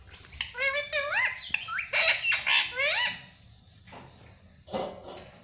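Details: Pet parrot talking, saying "mummy": a run of tonal, harmonic syllables with quick rising and falling sweeps, several bursts over about three seconds, then quieter gaps and one last short call.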